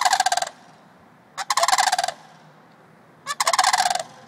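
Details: Two adult sandhill cranes at White Bear Lake, Minnesota, calling in loud rolling, rattling bursts about half a second long, three bursts spaced a couple of seconds apart, with faint background noise between.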